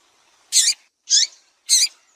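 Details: Female double-collared seedeater calling to excite males: three harsh, buzzy high notes spaced about half a second apart, on a quiet background.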